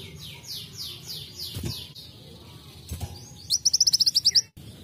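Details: Sunbird imitating canary song, heard faintly at first as soft repeated down-slurred whistles over background hiss, then a brief loud burst of quick, clipped high notes near the end.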